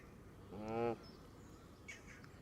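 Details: Flock of Canada geese feeding on green grass by the water, close around the camera: one loud nasal honk, followed by a faint higher squeak and quiet background noise.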